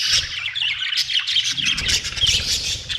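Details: Budgerigar chirping in a dense, unbroken run of squeaky, buzzy twitters, with a low rumble in the background.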